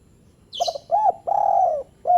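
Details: Single spotted dove phrase for rousing lazy doves: a high chirp, then quick stuttered notes, an arched coo and a long level-to-falling coo, with the next note starting at the close.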